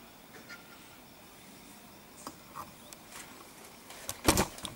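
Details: Common starling (Sturnus vulgaris), North Africa, 6 April 2016: a few faint scattered chirps and clicks, then one loud, harsh, rasping burst near the end over a quiet background.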